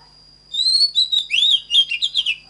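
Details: Oriental magpie-robin, recorded to train other magpie-robins to sing: a two-second phrase that opens with long clear whistles, then breaks into quick, bubbling, varied notes. A faint high tone runs behind it.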